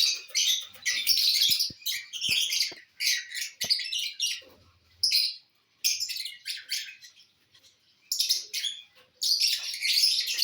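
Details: Lovebirds feeding on corn on the cob, uttering rapid high-pitched shrill chirps in dense bursts separated by short pauses, with faint low clicks and knocks.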